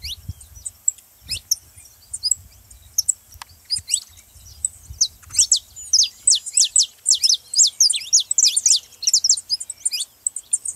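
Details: Saffron finch song played to stimulate a quiet canary into singing: after scattered chirps, a lively run of sharp, high, downslurred chips builds into fast, irregular twittering.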